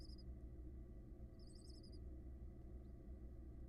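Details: Barn owl nestlings, six together in a Florida nest box camera, hatched in February 2022: two brief harsh rattling hisses about a second apart, faint against a constant low hum.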